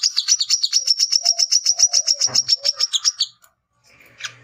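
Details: Male brown-throated sunbird, known locally as wiceh or kolibri kelapa, chattering to challenge rivals. A fast series of sharp, high chips runs about three seconds, then pauses, followed by a fainter buzzy note.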